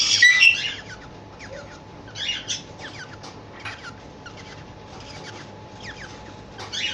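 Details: Cockatiel described as in love, giving a loud burst of bright chirping at the start, followed by a run of short, quieter chirps and squeaks repeated irregularly through the rest of the recording.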